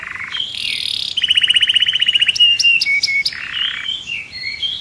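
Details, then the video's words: Canary in a cage singing in a frenzy, delivering distinct song tours: a low rolling trill, a sharp rapid rattle, clicking notes and clear sustained whistles. "Cantando um canário em fúria dentro da gaiola"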